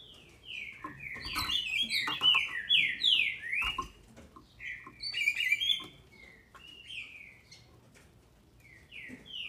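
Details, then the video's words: Female green-winged saltator, a captive bird in Brazil, calling to stir up males: loud falling whistles strung together in fast sequences, some notes overlapping, with occasional sharp clicks between phrases. "FÊMEA DE TRINCA FERRO para ENLOUQUECER seus trincas"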